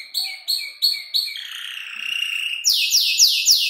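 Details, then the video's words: Young canary of about five months, mimicking calls like ciblek and klik-klik, gives a few spaced chirps, a long level buzzy note, then fast downward-sweeping high notes. "Kicau burung kenari gacor noto lagu U 5 bulan"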